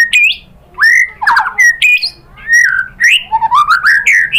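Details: White-rumped shama song used as a lure to provoke other birds into singing: loud varied phrases of rich whistles and rising slurred notes, with short harsh bursts and rapid high chips between them.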